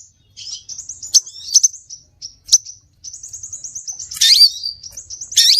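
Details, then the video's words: Scarlet minivet lure call: high whistled slurs and sharp chirps, then a steady run of thin, repeated notes and a loud, harsh, descending burst near the end. "Suara pikat burung SEPAH RAJA"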